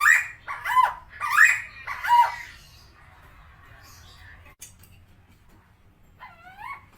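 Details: Helmeted friarbird, known locally as koak kao or cucak timor, a tame captive bird: four loud harsh nasal notes alternating low and high over two seconds, then quieter background sounds and a few thin rising notes near the end.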